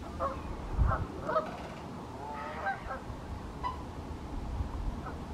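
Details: Pink-footed geese calling at Wyver Lane, several birds giving quick, yelping honks in loose bursts, some overlapping, about every half second early on and then sparser, with heavy low rumble of wind or distant traffic underneath.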